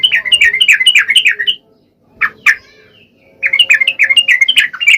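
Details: Yellow-vented bulbul in full, lively song, played to provoke reluctant males into singing: bubbly, warbling phrases rising and falling in quick bursts, broken by a short pause with two sharp notes.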